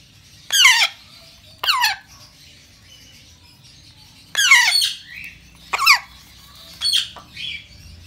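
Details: African grey parrot chick begging as it is fed: irregular bursts of coarse, grating squawks, some doubled, about six calls spread unevenly with short silences between.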